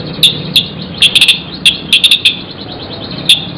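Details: Magpie-robin giving high, sharp chip notes in gacor isian style, singly and in quick clusters of two to four, over a low steady background hum.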